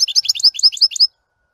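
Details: European goldfinch song: a rapid, tinkling series of high chirps and twitters in about one second, each note sliding quickly, then silence.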